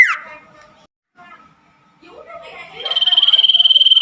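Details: Common iora (cipoh) singing at night, played as therapy for caged birds that stopped singing: softer scattered notes and a falling sweep, then a long steady pulsing high whistle that trills on to the end.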